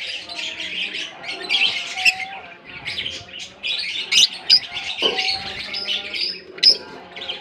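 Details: African lovebirds in a colony keep up a dense chorus of high squeaky chirps and twitters, with a few sharper screeches rising above the chatter.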